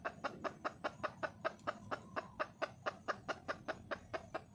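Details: Calling for a male, a wild red junglefowl hen repeats clear, regular clucks, roughly four a second for the whole stretch, over low steady hiss.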